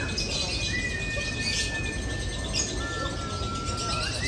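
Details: Lovebirds competing in the fighter class at a bird-singing contest in Bandung on 4 February 2024, several birds hung in one row; high chirping chatter over long steady whistle-like tones, with a constant crowd murmur and hum.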